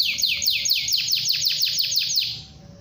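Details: Canary in full song, the long rolling kind used to encourage other canaries to sing, delivering a fast run of loud descending swept notes that fades out at the end.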